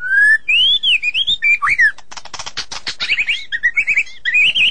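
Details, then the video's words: A magpie-robin sings a varied phrase of clear rising and falling whistles, then a burst of harsh buzzy notes and quick warbled chirps, with no other sounds standing out. "suara burung murai"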